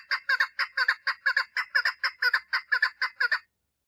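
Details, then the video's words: Female chukar partridge calling for mating: a rapid series of harsh, clucking chuk notes with strong harmonics, about two per second, paired in doublets, running steadily for three and a half seconds before stopping. "Female Chukar Partridge call - صوت الحجل أنثي - صدای کبک ماده"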